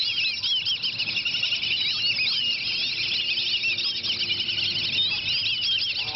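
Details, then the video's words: Whistling ducks fighting over food give many high, squeaky whistles that overlap and rise and fall without a break, a steady clamour throughout. "Whistle Duck Fight"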